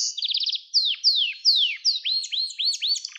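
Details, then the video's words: Song of a Gloster canary, used for training and stimulating young canaries: a quick bubbling roll gives way to repeated steeply falling whistles, then a run of rising-falling arched notes and a brief buzzy burst. "Gloster Kanarya Sesi Ve Ötüşü"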